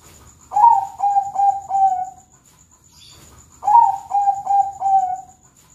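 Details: Morning song of a Bangkok-type zebra dove in classic style, two phrases of soft, resonant coos, each a run of four notes with the first slightly stronger, with a brief faint chirp heard between phrases.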